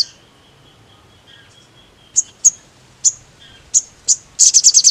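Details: Sogon (crimson sunbird) provoking song: a run of spaced, sharp, very high chips roughly every half second, breaking into a quick shrill trill at the end.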